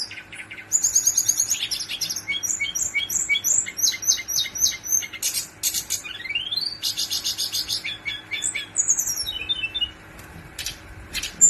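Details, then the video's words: Brown-chested jungle flycatcher, male, pouring out a long rolling song: rapid repeated high chirps, dense buzzy trills, a rising sweep and varied whistled phrases for over ten seconds, with a faint steady hum beneath. "KUMPULAN BURUNG SIKATAN RIMBA DADA COKLAT NGEROOLL PANJAAAANG...!!!!"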